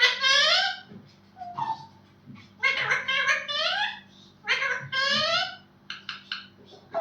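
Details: Talking parrot greeting with "good morning": high, clear, speech-like phrases in three main bursts over seven seconds, recorded indoors with short softer sounds between.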